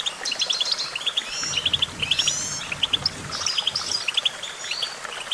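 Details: Goldfinch song of quick paired and tripled chirps in lively twittering runs, mixed with drawn-out whistled slurs from other birds and a low murmur in the middle.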